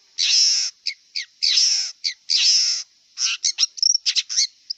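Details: Wild long-tailed shrike alternating long harsh grating notes with short clipped calls, then a rapid jumble of chips and a thin whistle; a high steady hiss sits in the background.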